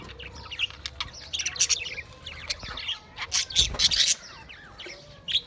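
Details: Pet budgies recorded 28 April 2023 keep up fast, scratchy chatter mixed with harsh squawks and bright chirps, with a louder cluster of calls near the end and a short thump beneath.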